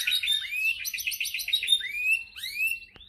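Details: Singing white-rumped shama, meant to stir other shamas to answer: a fast buzzy trill of repeated notes, then clear rising whistled slurs and a final short upward sweep, loud and ringing in a quiet background.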